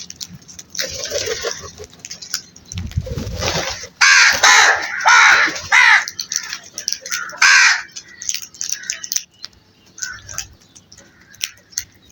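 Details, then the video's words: Flock of crows calling in a noisy, overlapping chorus of rough, rasping caws, bunched in the middle seconds, then trailing off into quieter background rustle. "Flock of crows sound Effect"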